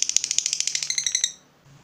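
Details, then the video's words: Fighter lovebird giving a brief ngekek, a rapid high rattling trill lasting just over a second before cutting off. "Lovebird FIGHTER terpancing Panas, nyaut Ngetik lanjut Ngekek Panjang"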